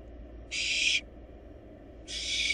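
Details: Two harsh, noisy screeches from wild barn owl nestlings in a nest box while they devour a large rabbit, spaced about a second and a half apart over quiet hum.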